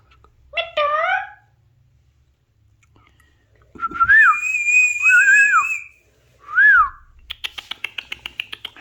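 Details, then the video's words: Alexandrine parakeet gives a harmonic meow-like call, then a long high whistle with a wavering lower tone and a short upslurred whistle, finishing with a fast buzzy rattle of clicks. "alexander parrot original sound | alexander parrot talking"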